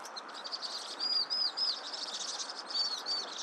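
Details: Vinous-throated parrotbill: three thin arched whistles in quick succession, then two more after a pause, over constant high twittering.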